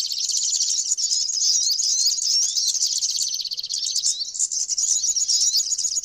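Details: Flowerpecker giving a packed stream of sharp, high, tinny chirps and quick upward and downward slurs, nonstop and even in loudness across six seconds, with a brief slight dip midway.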